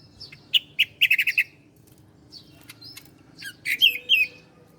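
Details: Bar-winged prinia, ciblek, master recording for training cage birds: bursts of sharp high chirps repeated in quick runs of four to five notes, pauses between phrases, faint low hum underneath.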